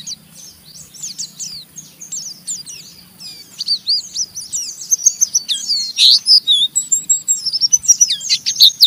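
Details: Rough, busy chatter of an Oriental white-eye provoking a rival to sing along: dense high twittering that builds louder and faster toward the end, with a low steady hum behind.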